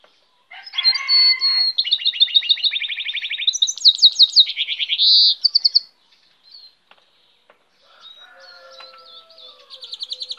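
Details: Goldfinch hybrid in full song: a long string of scratchy twitters, fast rattling trills and slurred whistles for about five seconds, then quieter chirps and thin tones after a brief pause.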